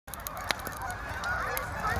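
A flock of Canada geese gives a steady overlapping chorus of nasal honks, punctuated by sharp pops and crackles of a wood fire.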